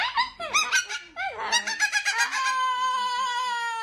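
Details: Two pet cockatoos trade quick squeaky, rising-and-falling calls, ending in a long, steady, slightly wavering tone held for over a second indoors.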